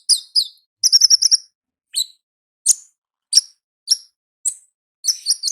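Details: Wild olive-backed sunbird giving ngalas-style song. A fast cluster of thin, high chirps opens the clip, followed by single bright tweets spaced about every half second. No other sounds are audible.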